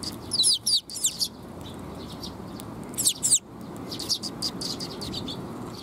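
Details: Sparrows coming to be fed near a bridge (水上橋), 19 June 2021: two loud bursts of rapid slurred chirps, then quieter scattered chirping against low steady noise.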